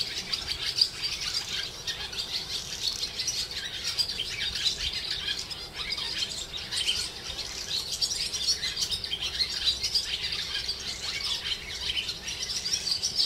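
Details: A steady chorus of high, rapid chirps and twitters from swallows over the lanes of the Jewish quarter in Hervás, northern Extremadura, lasting without pause.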